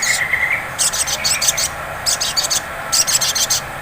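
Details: Sunbird known as sogon singing a ngleper lure: an opening thin whistle, then three bursts of extremely high, stuttering chips packed closely together, with a faint hum beneath.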